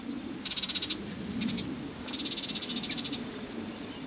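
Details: A Common Chaffinch at ZEC Revolcadores, Región de Murcia, Spain, sings rapid, high, evenly pulsed trills in two bursts with a brief note between, over a low steady background rumble.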